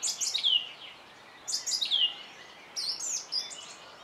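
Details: Song thrush singing: a bright, high, descending trilled phrase given twice in a row, then a different whistled phrase with sharp high notes, over a light hiss of background noise.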